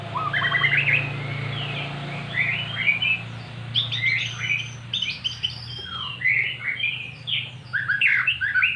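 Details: Magpie-robin kept in a cage, coaxed into singing by played-back magpie-robin song: a rising whistled phrase, then dense jumbled chirps and twittering notes, over a constant low mechanical drone.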